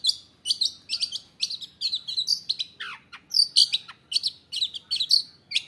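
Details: Caged long-tailed shrike, new to its keeper, in lively isian-rich song: crisp high chips in quick succession, broken by a long downward-sliding whistle midway, then more bright clipped notes.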